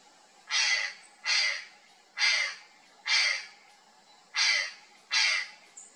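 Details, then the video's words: Purplish jay alarmed by something in a thicket, uttering loud, harsh, drawn-out rasping caws spaced about a second apart, six in all. "GRALHA-DO-PANTANAL assustada, Algo estranho na moita, (CYANOCORAX CYANOMELAS), PURPLISH JAY."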